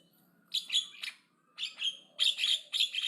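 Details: Aggressive Javan myna chattering loudly in short groups of two or three harsh, rasping, slightly whistled notes, separated by brief pauses, over faint low background hum.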